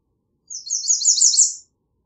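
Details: American redstart song of quick, high, lisping notes repeated in an accelerating series over about a second, louder in the second half, with a silent background.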